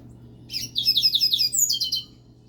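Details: Pet double-collared seedeater (coleiro) singing the day before a song competition: a quick run of high, buzzy, slurred notes repeated rapidly for about a second and a half, ending on a sharper whistled phrase, over a low steady hum.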